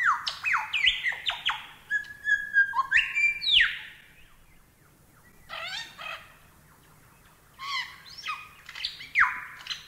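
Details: Lyrebird masteran song: varied descending whistles and buzzy, ringing notes in a lively opening burst, then a quieter stretch of soft twitters before loud falling slurs resume.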